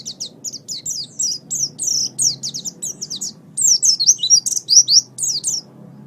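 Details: Oriental white-eye song for training cage songbirds: about five and a half seconds of dense, high-pitched twittering, with swooping slurred notes strung closely together, then it stops, leaving a low background hum.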